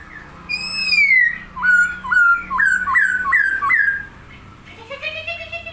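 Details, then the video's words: Chinese hwamei singing actively while opening its wings, giving loud clear whistled phrases, a long rising-falling note then a run of repeated looping whistles around four per second, followed by a softer harmonic-rich call at the end. "poksay Hongkong gacor goyang buka sayap"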